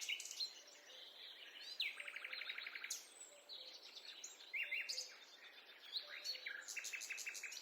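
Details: Woodland bird chorus recorded on a forest walk, busy with high sharp chirps, buzzy rapid trills and short whistled phrases from several singers at once, faint low notes dotting the background.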